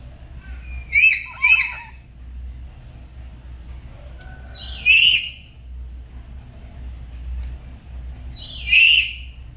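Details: Black-capped lories, pets at home, duetting in the morning as they learn to sing: a quick pair of harsh harmonic squawks, then two single rising squawks spaced about four seconds apart, quiet hum beneath.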